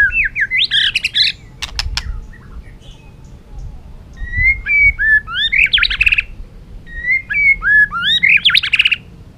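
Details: Caged white-rumped shama in heated song to excite competing birds: three bursts of fast mixed whistles, slurs and scratchy notes, separated by short pauses, plus a couple of sharp clicks.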